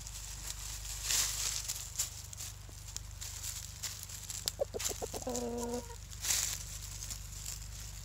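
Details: Pet chickens in a forest, scratching through dry tree leaves for the first time; a few short clucks lead into a drawn-out, harmonic cluck midway, with steady rustling and pattering of leaves throughout.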